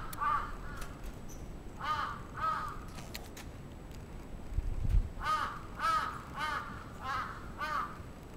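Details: An attacking crow in Atsubetsu Ward, Sapporo, Japan, on 27 June 2017 calls in two bursts of rough, repeated caws separated by a quiet spell with a brief low thump.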